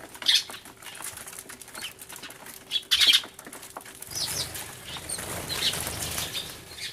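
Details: Crying sparrows in a loud flurry, filmed 24 March 2013 on a camcorder alongside a turtledove; a few bright chirp bursts near the start and middle, then a rushing, rustling wash of sound.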